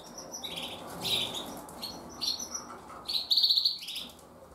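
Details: Breeding (brooding) Gloster canary hen gives high, thin chirps and buzzy trilled bursts, begging the male of her breeding pair for food.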